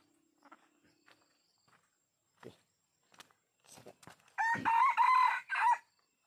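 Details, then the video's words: Red junglefowl used to lure wild birds gives a single hoarse crow near the end in three close segments, after several faint clicks, rustles and soft knocks. "Pikat Ayam Hutan Jelek"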